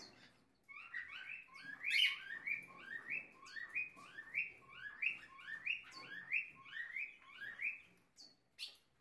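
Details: Ultramarine grosbeak (Cyanoloxia brissonii) pair caring for young, one chick having just left the nest, give a fast run of short, bright chirps, each sliding up then down, about two per second and partly overlapping.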